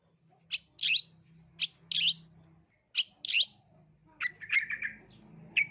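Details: A long-tailed shrike, used as a lure to set young shrikes singing, gives paired harsh, rasping notes a second or so apart, then a short run of lower chirps, over a faint hum.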